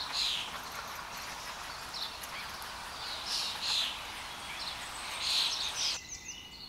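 Pied Avocet giving short, clear, high 'kluit' notes, single or in quick pairs, every second or two over a steady background hiss.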